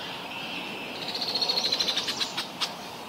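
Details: A Yellow Warbler in Ontario, Canada, sings a quick run of about a dozen high, sweet, slightly falling notes ending in a couple of sharper accents, over a steady background hiss.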